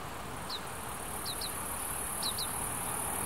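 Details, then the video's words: Oriental greenfinch fledglings pursue parents for food in Hiratsuka, Kanagawa, Japan, during the breeding period. Brief, sharp, descending high notes appear once and then as two pairs, over constant wind noise. "カワラヒワ 巣立ち雛が餌をおねだり"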